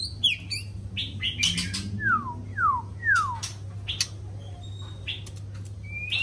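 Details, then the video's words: White-rumped shama in morning song; three loud whistled notes sweeping steeply downward, evenly spaced about half a second apart, among scattered clicks and short chirps, over a constant low hum. "Chòe lửa hót sáng nghe vẫn sướng"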